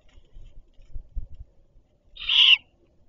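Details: At a great horned owl nest as the mother arrives with food, an owl gives a single harsh, hissing screech lasting about half a second, after some soft low thumps and rustles.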